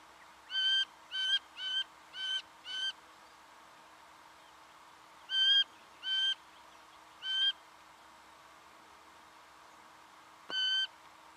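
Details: Singing honeyeater (Gavicalis virescens) in Victoria, Australia, November 2011, calling: a run of five short, clear, ringing notes about half a second apart, then three louder ones and a final single note, over faint hiss.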